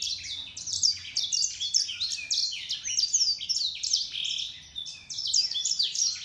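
A grey singing finch and canary cross sings a fast, unbroken twitter of high chirps and trills, with quick rising and falling notes and no other sounds.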